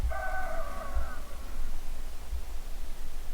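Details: An old rooster at a small farm in Boulder, Utah, along Highway 12 gives one distant harmonic crow lasting about a second, strained and slightly falling, half buried under steady wind rumble.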